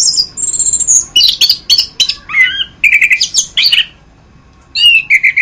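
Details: Anis kembang, the orange-headed thrush, singing masteran-style: high thin whistles open a rapid run of varied chirps and slurred notes, a silent gap near four seconds, then another quick whistled burst; faint background hum.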